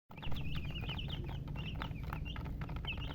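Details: Baby chickens chirping: a flock of chicks giving quick high peeping notes, many overlapping short chirps, over a steady low rumble of background noise.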